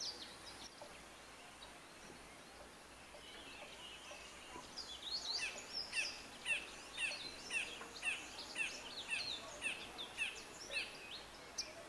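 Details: Cinnamon-chested bee-eater at Kibuye, Rwanda, in March 2013, giving short, high chipping notes, about two per second in a steady series over a soft background hiss.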